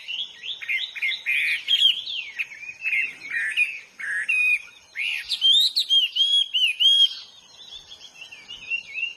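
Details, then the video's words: Wild Hwamei song, varied rich whistles and warbles in quick bursts, a pause, then a run of repeated clear rising notes fading toward the end. "burung HWAMEY GACOR DI ALAM LIAR"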